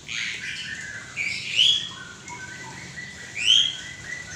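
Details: White-rumped shama with a drooping tail singing loud, clear whistles, including two bright upslurred notes about two seconds apart, separated by softer warbled phrases.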